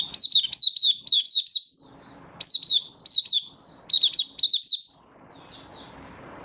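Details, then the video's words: Oriental white-eye (mata puteh) in happy 'buka' open singing, a song display recorded 24 February 2023: bursts of rapid, bright, slurred whistled notes, each dipping then rising, given in quick runs of four to six separated by brief pauses. "Mata Puteh Happy Buka Sing"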